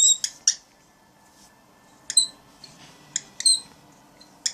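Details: A grumpy pet cockatiel protecting its cat friend gives six harsh, grating, high-pitched squawks in irregular bursts, some paired, with a quiet room between them.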